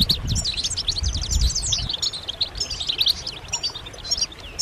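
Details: European goldfinch group giving mating and readiness calls that draw males out of silence: high jingling twitters and trills, a long downslurred whistle near the start, and low thudding noise in the first two seconds.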